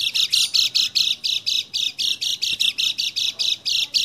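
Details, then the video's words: Lemon-bellied white-eye song used as a lure for birds that have stopped singing, 28/11/20: a loud, fast, continuous run of high buzzy pulses, about four per second, without pause. "PANCINGAN CEPAT GACOR UNTUK KECIAL KUNING MACET"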